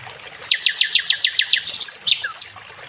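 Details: Nightingale (sikatan londo) song for training songbirds: a series of eight evenly spaced, sharp descending chips, about seven per second, followed by a few scattered high squeaky notes.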